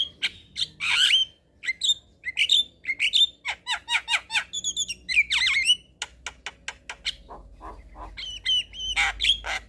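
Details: Black-winged starling singing in the evening, used to make young birds sing: sharp whistled pips and squeaky slurs, scratchy rasps, then a burst of bright whistles.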